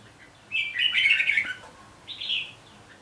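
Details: Red-whiskered bulbul singing: a bright, warbled phrase of chirpy notes lasting about a second, then a shorter, higher burst about half a second after, over a quiet background.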